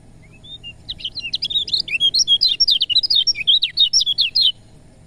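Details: Lemon-bellied white-eye song played to stimulate reluctant birds to sing: after a few soft opening notes, a fast, jumbled run of high twittering and sliding whistles lasts over three seconds, with a faint low hum behind.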